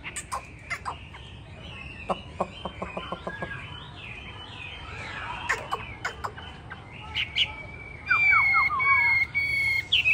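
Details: Hwamei of the yellow-footed, yellow-billed, yellow-plumaged form known as tam hoàng, singing a varied run of dry clicks and short rapid notes, ending in loud, clear whistled phrases with ringing overtones, over a low steady background hum.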